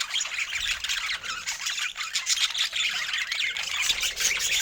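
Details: Several budgerigars chattering happily over fresh food, giving a busy, unbroken stream of bright squeaky chirps and scratchy warbled notes that overlap throughout.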